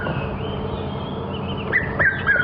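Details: A red-chested cuckoo heard during an afternoon/sunset safari drive on 20 October 2015 gives three short, clear whistled notes in quick succession near the end, faint over a steady low vehicle rumble.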